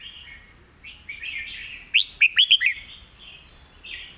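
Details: Red-whiskered bulbul master song, clear and well phrased: quiet rambling warble building into five loud, bright, bouncing whistles, then softer trailing notes.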